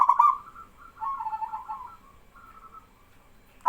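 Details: A local male zebra dove in full song draws replies from other doves. One bright stuttered burst opens the phrase, then it trails into a long, soft, rolling trill of coos that wavers and fades.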